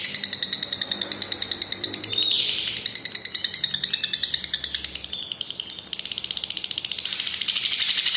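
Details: Long lovebird ngekek meant to coax stalled or lazy lovebirds into trilling: extended high buzzy chatter of rapid pulses, brief swells and a short sharp note partway, then continuing rattle.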